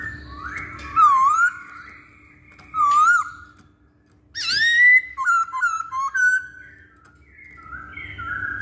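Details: Masked laughingthrush singing as a lure for other birds: rich looping whistles, a sudden loud upswept squeal, then several short whistled notes in rapid succession, separated by quiet gaps.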